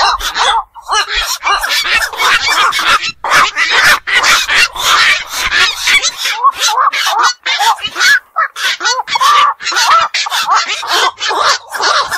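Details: A chorus of black-crowned night herons, birds of ponds and wetlands that stay up at night, keeps up steady raspy squawks and croaks with barely a pause.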